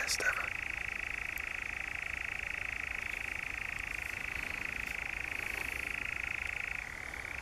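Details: In Norfolk's Brecks in July 2017, a European nightjar keeps up a long, even, rattling churr, opening with a short noisy burst and lifting a little in pitch near the close.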